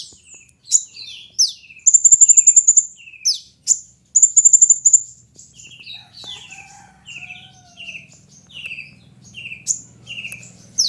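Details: Lively sunbird song, kept as lure and master song: piercing high squeaks and sweeping notes mixed with fast, even buzzing trills, then softer chattering descending notes repeated about four per second, faint low hum behind.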